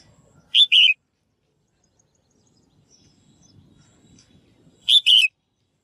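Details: Calling female bird, voiced to encourage males to sing actively: two loud paired chirps more than four seconds apart, each a clipped high note and a longer falling one, near-silent in between.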